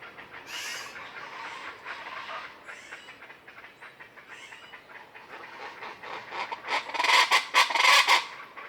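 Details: Morning jungle chorus in the Sierra Madre above Banderas Bay with a Common chachalaca group moving through the trees: a murmur of rough calls, swelling near the end into several loud, grating, rhythmic squawks.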